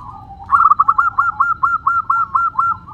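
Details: Zebra dove, a local bird, gives a fast crystal-clear song: a low lead-in coo followed by about a dozen rapid, evenly spaced rolling coo notes, each slightly rising, against faint low background hum.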